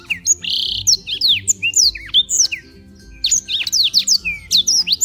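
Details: Black-throated canary kept as a daily singer in Beng, Gianyar, Bali, used as a tutor for other birds: fast run of sharp whistled sweeps and chips, one buzzy trill near the start, with a short pause midway; faint low hum behind.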